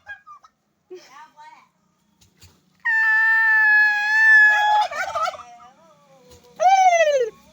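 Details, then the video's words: Turkey calling: two short faint notes, then a loud, sustained, strongly harmonic call of about two seconds that turns gurgling and wavering at its end, followed by a brief bright downward-sliding call. "Turkey makes sound"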